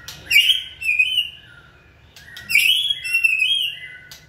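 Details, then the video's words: Trained White-rumped shama singing on cue: two clear whistled phrases, each opening with a sharp note then a long wavering whistle with harmonics, separated by a brief pause, indoors. "Kỹ thuật kích thích lửa cho chim hót (shama bird)"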